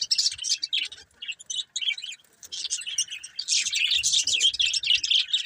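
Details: Budgies trading quick high chirps that swell after a short lull into dense, excited twittering and chatter.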